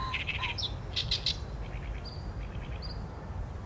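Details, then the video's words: Oriental reed warbler singing, captured on a Sony A7M3: a quick run of rasping notes, then loud clipped chacks near one second, followed by faint high drawn-out whistles against constant low background rumble. "개개비 - Acrocephalus orientalis - 大苇莺 - bird song"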